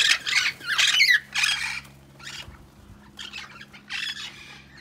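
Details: Wild Amazon parrots in a large flight aviary give harsh, raspy squawks in three loud bursts, then fainter squawks, over a low steady hum. The aviary holds Yellow-headed, Red-lored, Red-crowned and Lilac-crowned Amazons.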